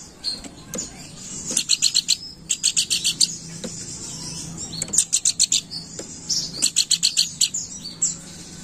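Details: Lure call of the Planduk bukit, a lively chattering song: repeated bursts of fast, piercing, evenly spaced high notes, four runs of roughly six to nine notes each, with brief pauses between.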